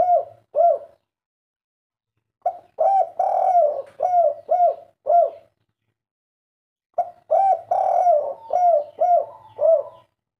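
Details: Spotted dove of the kuk 3 coo style, answering at once to a recorded master call, giving deep hooting coos in three bursts: a short pair, then two runs of several rolling, arched notes separated by silent pauses, in a quiet setting.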